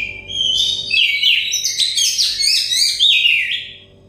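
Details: Oriental magpie-robin (kacer dakon) pouring out a dense, varied song of sweet whistles, buzzy chatter and quick slurred notes, steady for about three seconds before fading; played to encourage stressed birds to sing.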